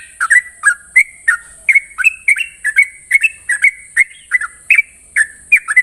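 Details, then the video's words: Sooty-headed bulbul giving its fast morning ropel song, clear whistled notes sliding down and back up, spaced in quick pulses about twice a second, a steady high whine underneath. "Ropelan trucukan gacor terbaik penuh emosi pagi hari"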